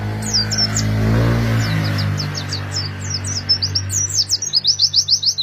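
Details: Oriental white-eye song used as a lure for wild birds; rapid high twittering notes, quick descending chirps running into a fast repeated series, over a loud low engine-like rumble that fades midway.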